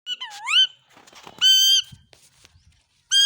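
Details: A happy pet Indian ringneck (rose-ringed parakeet) in a village gives loud, shrill, nasal screeches: a swooping rising-and-falling call, then two flat, harsh held notes, with faint rustling between.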